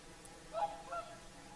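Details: Whooper swans at Lake Saimaa during an evening sunset chorus; two quick honking trumpet notes about a third of a second apart, the second slightly higher, with faint room-like hiss behind.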